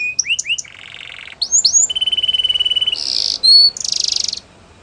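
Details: Canary training song: a loud, varied run of bright upslurred whistles, a buzzy trill, a long rapid even rattle of clicks, then a harsh burst and a fast high trill, all crisp and close, with little background noise.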